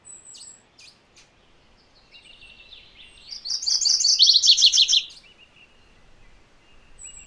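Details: MacGillivray's warbler song: a loud two-part phrase of rapid, buzzy, repeated high notes, the first part higher and the second dropping slightly lower, lasting under two seconds among faint scattered chips.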